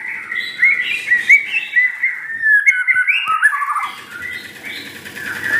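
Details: Home white-rumped shama, never contested, gives a fast string of slurred whistled notes and chatter, dense and continuous, then a quieter stretch with soft background rustling.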